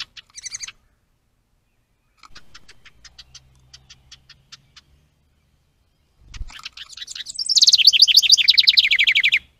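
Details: House wren at a bluebird nest box with a stick nest, caught by a trail camera on 10 May 2023; soft dry ticks, then a loud, rapid, bubbly cascade of warbled trilled notes lasting about two seconds.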